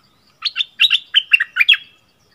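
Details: Bulbul giving a training song, double-phrase style: a short, bubbly phrase of paired, liquid whistles that rise and fall, delivered in quick pairs across about one and a half seconds, otherwise quiet.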